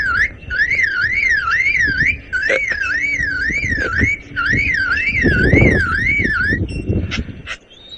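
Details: A male lyrebird mimics a car alarm to persuade females to come close: a wavering siren tone swooping up and down about twice a second, in bursts of several seconds, with faint background rumble.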